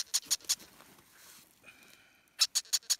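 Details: Naked young double yellow-headed amazon nestlings, unable to thermoregulate, begging loudly for their parents with short, harsh, hissing rasps in quick runs of three or four, with a brief faint thin tone in the pause.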